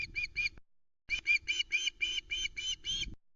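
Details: Juvenile osprey screaming for food on its Scottish nest at Loch Arkaig, 17 August 2020; three rapid notes, a short gap, then eight evenly spaced rasping whistles about four per second.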